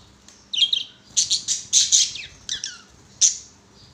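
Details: Budgerigars at play on a swing giving loud, harsh chirps and squawky notes in short separate bursts.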